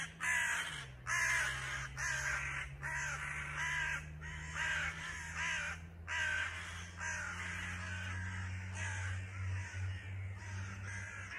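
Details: Agitated crow parents flying around a fallen chick near a house, croaking in a long rapid series of hoarse caws, roughly one per second, over a steady low hum.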